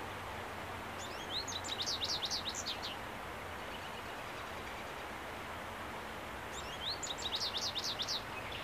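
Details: An American goldfinch marking its territory on 30 April 2015 gives two bursts of high, quick twittering notes, each under two seconds, over a steady hiss of wind or distant traffic.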